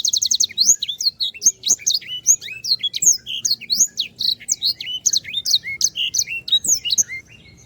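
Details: Energetic canary song for teaching other birds: an unbroken rush of loud, high chirps, rising and falling whistled slurs and quick trills, nearly clean of background noise.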